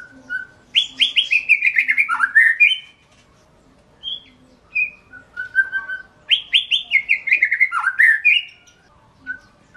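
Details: Two long white-rumped shama phrases, each a quick rattle-like sequence of bright notes falling steeply in pitch, separated by a few isolated whistles.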